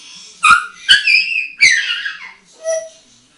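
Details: Eight-year-old hand-trained female African grey parrot having fun on a bathroom towel rail while molting; sharp loud clicks followed by bright, harmonic whistled notes sliding downward, then a short, lower, whistled note, with room echo.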